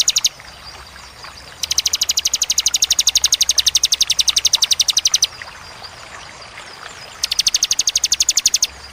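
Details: Bar-winged prinia (ciblek) in tembakan song. A long, even trill of very high, sharp notes runs for over three seconds, then a second shorter burst follows after a pause. A steady low hum sits underneath.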